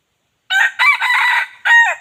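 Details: Wild chicken crowing, a recording used as a lure to call wild chickens in: a loud four-part crow after half a second of silence, a short first note, a long wavering middle section, then a strong final note.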